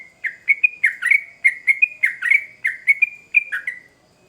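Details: Trucukan (yellow-vented bulbul) in full, excited song meant as a lure to prompt answers from others of its kind: bubbly, slightly uneven chirps, each sliding down and up, delivered in a quick jerky series.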